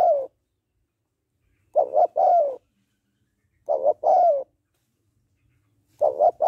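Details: Female spotted dove cooing to excite a male, three clear phrases spaced roughly two seconds apart, each a short doubled coo followed by a longer, gently descending croo, with silence between.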